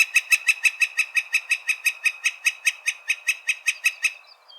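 A Northern Flicker gives a long, even series of about twenty-five loud, high wik notes, rapid and steady, running for over four seconds before stopping.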